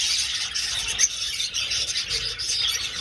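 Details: Budgerigars on the wing inside an old aviary, steady loud twittering from many birds, high squeaky chirps layered into a constant chatter.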